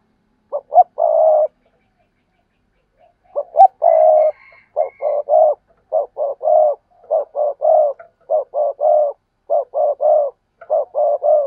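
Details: Spotted dove cooing in a long series, each phrase a couple of quick soft notes and a longer low hoot, repeated roughly once a second after a short opening pause, with a brief faint chirp from another bird.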